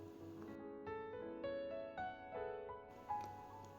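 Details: Soft piano music with sustained chords and a few melodic notes, no animal voices.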